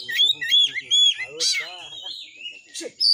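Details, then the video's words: Oriental magpie-robin singing a 'tembakan' full-repertoire phrase used to provoke rivals to sing and fight: looping whistled notes, a harsh burst, and a long thin whistle, with a few lower harmonic sounds beneath. "TEMBAKAN BURUNG KACER GACOR FULL MATERI .AMPUH BUAT NAIKAN EMOSI KACER, langsung gacor tarung"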